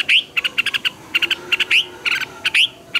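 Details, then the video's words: Red-whiskered bulbul used as a decoy singer for training birds. Short bright whistles rise sharply, then give way to rattling groups of clipped notes, with fast phrases broken by short silences. "Luyện chào mào hót sáng hay nhất, Ép chào mào hót âm kép xoắn hay tuyệt, luyện chào mào hót căng lửa"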